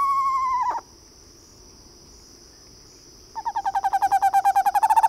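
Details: Eastern screech owl giving a descending whinny that drops in pitch and ends abruptly, then after a pause a long rapid trill of even pulses that swells in loudness. A steady high insect-like drone runs throughout.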